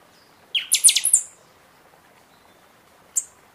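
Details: Singing Buffy-fronted seedeater in season, a recording meant to rouse other birds after moulting: a fast run of bright, piercing high notes lasting under a second, then one lone sharp chip two seconds later.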